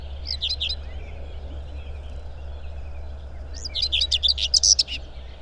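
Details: Common Whitethroat singing among riverside branches in May in Małopolska, Poland: two short, scratchy, chattering bursts a few seconds apart, high-pitched and hurried, over a steady low rumble.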